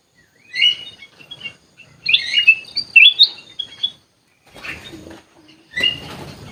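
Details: Aviary-kept sooty-headed bulbul with a few sweet whistled phrases, followed by soft rustling and scratching noises near the end.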